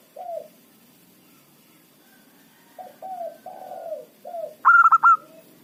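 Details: Decoy zebra dove of local strain, described as loud with a small voice, used to lure wild doves: scattered soft descending coos, then a sudden bright stuttered phrase of four quick notes.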